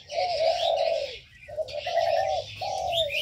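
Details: Aviary birds giving three long, husky low coos, each close to a second, with a faint wash of high twittering from other birds between them.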